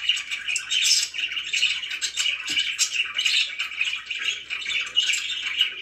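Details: Pet budgerigars chirping indoors in a small room: a dense, continuous warbling chatter of fast chirps and scratchy notes, with no clear pauses throughout.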